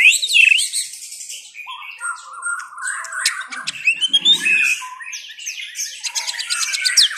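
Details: White-rumped shama song: an opening whistled swoop, then rapid varied phrases mixing sweet whistles, scratchy chatter and sharp clicks, very high and busy throughout, with a soft low rustle midway.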